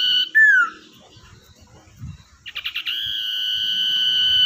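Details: A wild-caught, tamed common iora, kept as a lure bird to prompt others to sing, gives a clear falling whistle, then a quick burst of buzzy notes, then one long, steady, drawn-out whistle.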